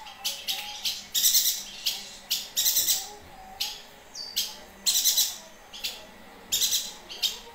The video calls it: Burung Yuhina Gacor